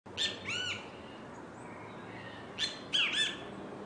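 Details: Great kiskadee at the beach giving loud, harsh, squawky notes in two short bursts, one at the start and another near the end, over a steady wash of background noise.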